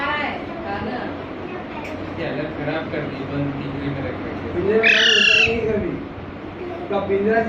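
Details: Young parrot being carried home in Panvel one Sunday in March 2019, squeaking now and then at the unfamiliar place; a single harsh, rasping squeak near the end, with low human voices murmuring around it.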